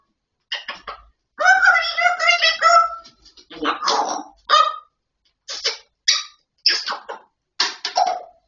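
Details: Grey parrot chattering: a long harmonic spoken phrase followed by a series of short clicks, squawks and clipped syllables spaced about half a second apart.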